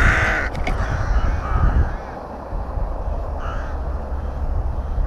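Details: Rooks at a nest in a breeding colony near Tyrnovo: a couple of harsh, hoarse caws at the start and softer caws later, over a heavy low rumble of wind or handling noise.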